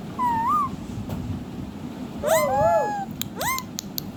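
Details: Talking Indian ringneck, a rose-ringed parakeet kept as a pet, singing and dancing: a wavering whistled phrase, then a cluster of harsh squawks and a sustained tone, ending with short rising chirps and clicks.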